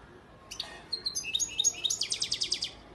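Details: European goldfinch male from Antalya, Turkey, 2018, giving a few scattered high chirps followed by a quick run of about ten evenly spaced, ringing metallic notes.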